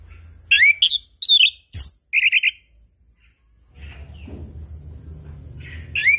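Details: Chestnut-capped thrush lure song for morning, noon and evening to stir mute birds; a rapid burst of varied whistled and trilled notes, then softer background hum with faint notes and a closing whistle.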